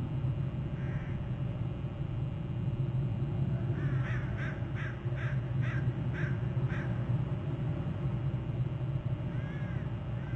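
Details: An eagle at the Hornby Island nest territory, July 31, delivers a rapid series of about seven sharp, evenly spaced high notes, with a lone call before and after, over a steady low rumble.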